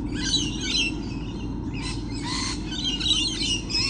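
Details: Lorikeets, many birds present, recorded 28 November 2013: dense shrill, scratchy screeches and chatter fill the whole stretch, overlapping continuously above a steady low hum.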